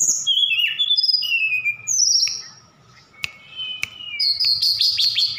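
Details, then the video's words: Javan bush lark recorded in Sukabumi, Indonesia, mixing imitated songs such as cililin and sikatan londo: descending slurred whistles, a pause with two sharp clicks, then a dense high buzzy twitter. A faint steady hum sits underneath. "Tledekan Gunung Gacor Sukabumi"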